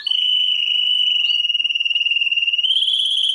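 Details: Song of a world-champion canary: one long, continuous rolling trill at a steady high pitch, finely pulsing throughout and stepping slightly higher near the end.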